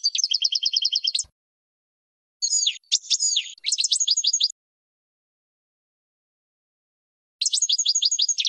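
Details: European goldfinch training song for young birds, given in separate bursts: a fast trill, a pause, a tangle of slurred notes and trills, a long silence, then another rapid trill.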